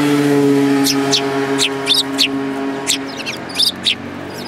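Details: Several sparrows, one with a yellow beak, in January 2018: a string of brisk, clipped chirps at uneven intervals, over a sustained humming tone that fades partway through.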